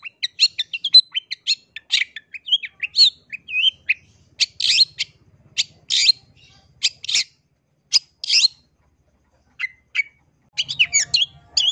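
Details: Long-tailed shrike lure song, played to provoke other shrikes into answering: loud, varied high chirps, squeaky whistles and harsh rasping notes in quick bursts, with short pauses and a brief low hum near the end.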